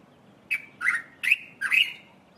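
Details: Dark-capped bulbul calling from a treetop early in the morning: four short, bright notes about a quarter second apart, each a quick burst sliding into a level, slightly buzzy tail, with a faint low hum behind.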